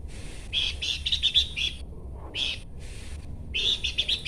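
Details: Chattering, rapid high notes from a Horsfield's babbler, grouped in three bursts with brief silences between, over a low rumbling background.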